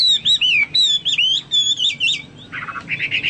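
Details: Chinese hwamei singing gacor-style, likened to cucak Papua or cucak mas: several loud, clear, wavering whistled phrases, then softer, rapid chattering notes at the end.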